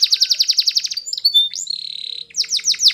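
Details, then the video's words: Belgian canary in training song, starting with a fast repeated note series, then a sustained level whistle and a quick burst of trilled notes. "Belgian Canary Singing For Training"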